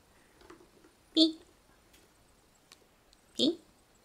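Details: A pet budgerigar talks, mimicking camera shutter sounds ("kasha kasha") and learned phrases in two short, clipped, speech-like bursts about two seconds apart, with faint clicking in a quiet room.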